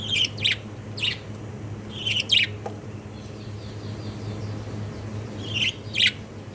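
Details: Jumbo or king budgerigar chicks, kept as pets, giving short raspy chirping bursts in pairs and clusters separated by pauses of about a second, over a low steady background hum.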